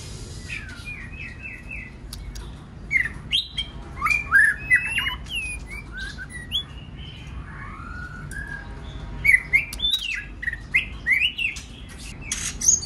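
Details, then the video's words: White-rumped shama song used to prompt other birds, with a quick trill of repeated notes, scattered whistles and chirps at modest volume amid background hiss. "Kích Chòe lửa hót nhiều giọng"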